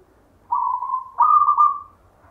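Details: A local zebra dove (perkutut) with natural 'gayer' rhythm, a grandfather's bird, delivers a two-part cooing phrase: a steady soft note, then a louder slightly rising trilled note that drifts off.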